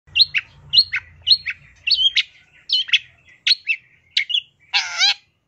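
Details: Long-tailed shrike (cendet) singing a rich, varied master song with fill-ins: a series of short, sharp, high whistled notes dropping in pitch, repeated about every half second, ending in a harsh, buzzy squawk; faint low hum beneath.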